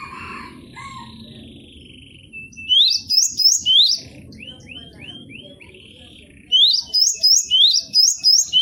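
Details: Cinereous tit (gelatik batu) kept as a cage bird, singing a varied repertoire for a training recording: bursts of loud, sharp, rising whistled notes repeated quickly, a run of softer upslurred whistles between them, over a steady low rumbling background.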